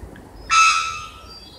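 A three-wattled bellbird gives one loud, explosive metallic note that rings on as a thin, steady tone for about a second.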